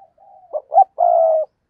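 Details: Spotted dove used as a decoy for wild doves: a soft low lead-in, two short rising notes, then one long even coo held for about half a second.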